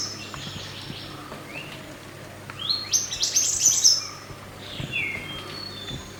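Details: Wild mountain white-eye singing, used as master song to train cage birds: a burst of dense, high twittering warbles swelling in the middle, then softer falling whistles, over steady background hiss and a low hum.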